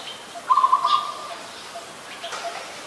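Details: Adult zebra dove recorded in Ubon Ratchathani, Thailand, on 28 December 2020, giving one short burst of rapid, staccato trilled cooing, under a second long, while other small birds chirp faintly at a higher pitch.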